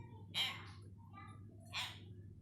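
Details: Hill myna practising words indoors. Two short, hoarse, speech-like bursts about 1.4 seconds apart, with a fainter murmur between them, over a low background hum.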